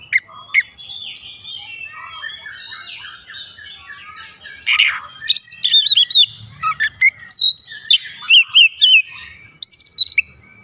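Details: Oriental magpie-robin singing a varied, busy medley: scratchy high chatter and mixed notes, then loud clear whistled phrases with rising and falling slurs in the second half, repeated in quick bursts.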